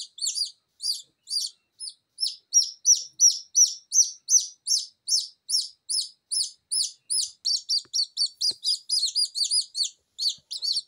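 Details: Newly hatched Silkie Serama chicks, still wobbly and damp from the incubator, crying without a mother hen while being calmed by hand: rapid high peeps, downward-slurred, repeated nearly three times per second in a steady stream.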